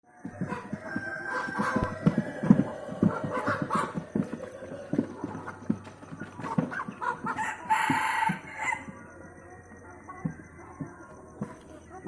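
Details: A laughing chicken (ayam ketawa) rooster, kept as an ornamental bird, crows before dawn, 30 to 60 minutes before the dawn prayer, in a long, stuttering series of rapid, cackling notes.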